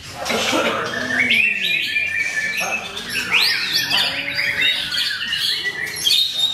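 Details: At a bird-singing contest at Mahendra Arena, a debut white-rumped shama (murai batu) that placed on the podium. Bright rapid whistles and upward sweeps run almost without pause amid overlapping chirps from other birds and a murmur of people.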